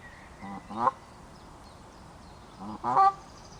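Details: Canada geese disputing territory in a forest: two loud two-part honks about two seconds apart, each a short lower note sliding into a strong, harsh honk.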